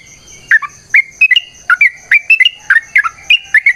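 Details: Yellow-vented bulbul in long rapid fighting song: liquid chirping notes, often doubled, repeated almost twice a second, some sliding down and some up, with a steady high-pitched hum in the background.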